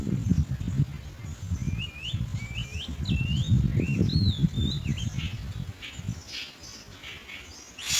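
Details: Common myna foraging for insects to feed its young, giving a quick series of clear, rising and looping whistled notes, followed by fainter scratchy sounds, over steady low background rumble.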